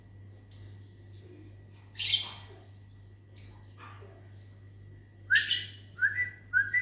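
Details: Aviary lovebirds on a morning, answering whistles: high chirps and two harsh loud screeches, then several short rising human whistles near the end; faint low hum throughout.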